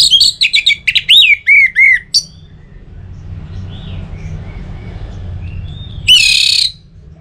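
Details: Orange-headed thrush song from Singaraja, North Bali, Indonesia, used to lure other birds into singing. A quick run of varied sharp whistles and slurred notes lasts about two seconds. After a pause comes a harsh buzzy burst, all over a low background rumble.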